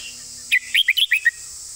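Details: Crisp 'master song' phrase of a red-whiskered bulbul: six short, loud, slurred whistles in quick succession within under a second, with a persistent high insect-like drone behind.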